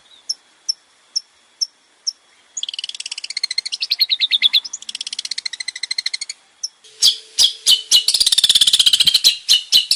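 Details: Male long-tailed shrike in full, varied song: scattered single high ticks, then fast buzzy chattering runs with warbled inflections, ending in a harsh, dense rattling burst punctuated by sharp clicks.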